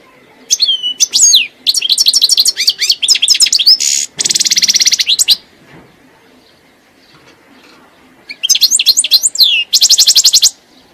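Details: A European goldfinch delivers long bouts of fast, liquid twittering mixed with harsh buzzy rattles, pauses for about two seconds, then resumes with more chattering notes and a dry trill.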